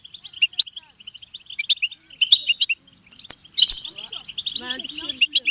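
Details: European goldfinch giving a stimulation song: short high chirps and tinkling notes in quick bursts, with brief metallic trills near the middle and a human voice speaking low underneath toward the end.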